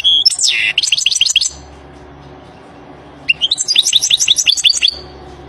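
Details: European goldfinch singing in the wild: two bursts of bright, tinkling, rapidly repeated high twittering notes with buzzy slurs, separated by a quiet pause with low background hum.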